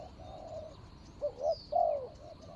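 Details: Spotted dove calling at a ground decoy to draw in a rival: a soft drawn-out coo, then a crisp phrase of two short hoots and a longer falling coo, in a quiet rural setting.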